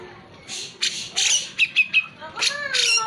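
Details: Grey-cheeked bulbul (cucak jenggot) singing vigorously, a recording meant to spur reluctant birds into song: raspy, scratchy chatter bursts, then quick clipped notes and a few short falling whistles.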